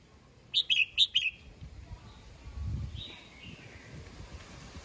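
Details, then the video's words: Red-whiskered bulbul in the morning, calling the flock, gives one clipped burst of four sharp chirping notes early on, then faint distant notes over a low rumble of background noise. "Chào mào hót sáng, yếu lửa gọi đàn"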